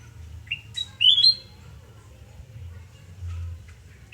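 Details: Sooty-headed bulbul heard at home in Surabaya on the morning of 29 November 2017. A quick rising note and a sharp high chip lead into a loud, clear, upslurred whistled phrase. Faint scattered sounds and a low hum follow.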